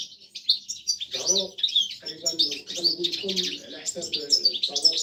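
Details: A caged female European goldfinch calls the male during breeding courtship, meant to stimulate him: fast, high, liquid twittering and tinkling chatter in quick bursts, with a low voice murmuring underneath.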